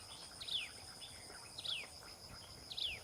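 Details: Common tailorbird feeding young; three quick high notes, each dropping sharply in pitch, come about a second apart against a continuous buzzing insect background.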